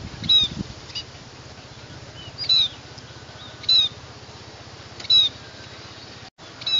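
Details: Scaly-breasted munia (Lonchura punctulata) song: thin, high whistled notes with a slight downslur, given singly about every one to one and a half seconds over a soft background hiss.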